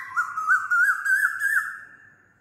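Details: Asian koel calling loudly: one sustained whistled note, slightly rising and wavering in pitch, lasting about two seconds before fading, with a quiet background.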